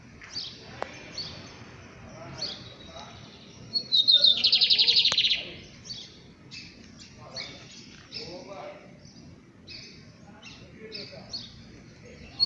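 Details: Lined seedeater (bigodeiro) singing: scattered short high chirps and twittering notes, then a loud, dense, buzzy trill lasting over a second at about four seconds, followed by more thin, scattered chirps.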